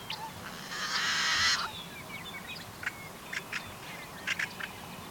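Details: Yellow-headed Blackbird singing at a wetland in May while displaying. One loud, harsh, buzzing screech lasts about a second, followed by scattered short clicks and chipped notes.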